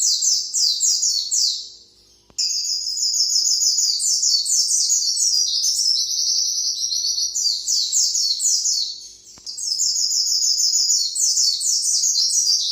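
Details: Long training song of a pleci, or white-eye: bursts of fast, high, twittering phrases of down-slurred notes, broken by two short pauses, then resuming in a dense unbroken chatter.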